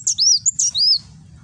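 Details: Van Hasselt's sunbird (kolibri wulung) in Gresik, East Java, singing in the nembak style used for tutoring cage birds, recorded on an Android phone: two quick bursts of high, thin sliding whistles, then a low background hum.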